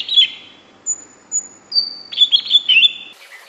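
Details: Greater green leafbird sings short chirps, then thin, high, drawn-out whistles at stepped pitches. A rapid run of bright, twittering warbled notes follows, ending in a brief harsh scratchy note.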